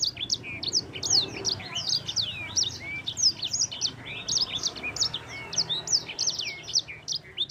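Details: Yellow-fronted canary (sanger) in a long champion-style roll, used as a tutor song: continuous rapid chain of bright high whistled notes, many downslurred, barely pausing for nearly eight seconds.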